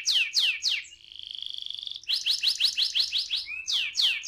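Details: Canary ngerol song used as a lure to set other canaries singing: a few sharp falling notes, a smooth buzzing roll held for a second, then quick repeated downslurred chips and a short whistle.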